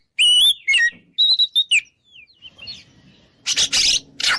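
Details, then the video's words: Oriental magpie-robin lure in ngeplong style, meant to goad rivals into fighting: a few whistled slurred phrases, a quiet gap, then harsh grating rasps. "PancinganKacerNgeplong|| Bikin Lawan Ngajak Tarung"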